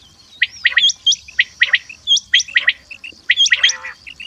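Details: Common quail uttering short clusters of two or three sharp notes at irregular intervals, with high thin chirps from other birds interleaved.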